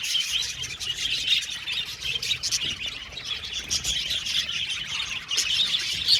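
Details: Budgerigars in an aviary colony give dense, overlapping high chirps and chattering warbles without pause, with scratchy clicks scattered through the steady stream of sound.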